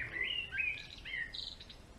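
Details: A male European greenfinch delivers a rapid sequence of whistled phrases, each sliding or wavering, stepping between middle and higher pitches in about two seconds.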